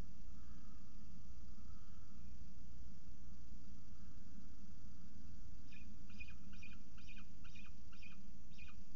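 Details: Peregrine falcon at its nest ledge on a university building in Orange, New South Wales, Australia, during a morning feeding. A quick run of about seven short, sharp chittering notes comes in the final few seconds over a steady low hum.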